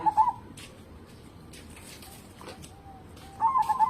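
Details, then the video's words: Local zebra dove, an eager singer kept as a lure to prompt other birds, with a short burst of coos at the start, a quiet gap with faint clicks, then a loud stuttering run of notes at the end. "burung perkutut lokal gacor cocok buat pancingan"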